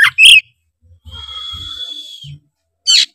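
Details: Oriental magpie-robin song, used as a lure to provoke rival magpie-robins into singing: sharp bright notes open the phrase, then a long steady high whistle held for over a second, followed by a short burst of high notes at the end.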